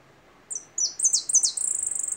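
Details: Jilguero (goldfinch) singing a short phrase: a few thin high notes, then sharp descending slurs and a fast, rattling high trill at the end.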